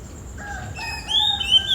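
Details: Early morning, around 4 to 5 a.m.: a rooster crows once, a drawn-out, harmonic call that steps up in pitch and holds, while a thin, high whistle, likely a magpie-robin singing, runs over its end.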